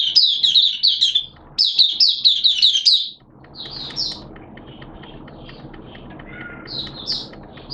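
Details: Caged Oriental white-eye (Mata Puteh), a hobby bird starting to sing, recorded 11 September 2022 in wet, erratic weather: rapid bursts of high, thin twittering notes for three seconds, then quieter scattered phrases over a steady low background hum.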